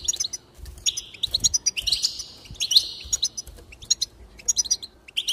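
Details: Goldfinch song aimed at encouraging singing: lively high chirps mixed with several stretched, wheezy buzzes, delivered in a rapid, jumbled, continuous flow.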